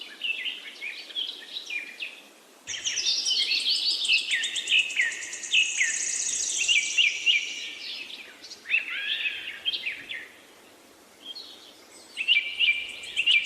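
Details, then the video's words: Lively bird song with overlapping chirps and trills; a dense, loud high twitter runs for several seconds, pauses, then resumes with clustered swooping notes. "Beautiful Bird chirping sound"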